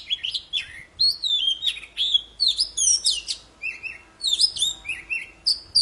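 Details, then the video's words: Poci bird in full song for triggering silent birds to sing again: lively mix of clear rising whistles, buzzy twitters and quick chirps, phrases repeated roughly every half second against a quiet background. "Suara burung poci super gacor cocok buat memancing poci macet jadi bunyi"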